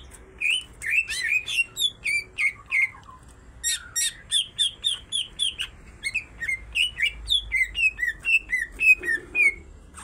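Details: Greater green leafbird pair, female and male, singing energetically with kingfisher-style phrases: repeated chirped, downslurred notes roughly twice per second, sprinkled with high sharp clicks, continuing steadily.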